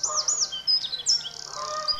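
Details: Eurasian wren in spring at a kingfisher breeding territory pours out its loud territorial song: rapid, very high, ringing notes and trills run together without a pause.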